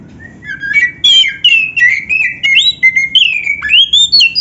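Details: Oriental magpie-robin, a caged songbird in energetic, imitation-packed song played to make other magpie-robins heat up and reply. Fluid, warbling whistles rise and fall continuously, broken by sharp clicks and brief buzzy notes.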